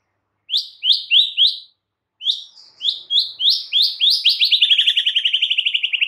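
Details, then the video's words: White-rumped shama song: a series of bright downslurred chirps in short groups, speeding into a rapid even trill of repeated notes. "Murai Batu GACOR BONGKAR ISIAN"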